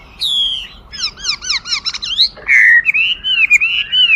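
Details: Chinese hwamei song with a falling whistle, a run of quick repeated downslurred notes, then a long rich warbling whistle.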